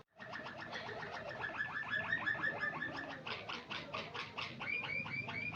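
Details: White Waterslager canary in song: rapid rolling notes repeated nearly three per second, bubbling and watery, changing midway into louder knocking tours and a closing series of rising whistled notes.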